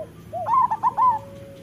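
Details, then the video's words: Local Indonesian zebra dove (perkutut lokal) master song: a rising lead-in coo followed by four quick bubbling coos, ending in a faint steady tone. "Suara Masteran Burung Perkutut"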